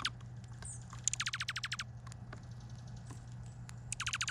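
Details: Vancouver Island chickadees feeding at a feeder give rapid strings of thin descending chirps, about a second per burst, with a scattering of soft ticks and taps between bursts and a faint low hum beneath.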